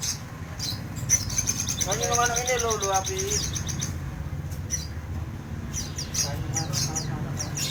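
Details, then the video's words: Crimson sunbird singing actively, giving rapid high chirps and a stuttering run of lower warbled notes mid-phrase, over a steady low hum. "Burung sogon gacor full 2020"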